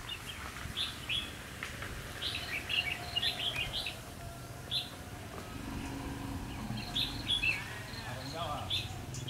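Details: Red-whiskered bulbul used as a trapping decoy, 12 November 2016, singing a challenge song to rivals: quick, lively whistled phrases in clusters, with pauses between them, over a steady low hum and faint outdoor noise.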